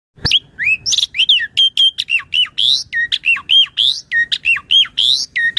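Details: Asian pied starling, a lively singing bird, used as a master song for training other birds and as a lure call; rapid repeated whistled and chattering notes, about three per second, mostly high, clear with little background.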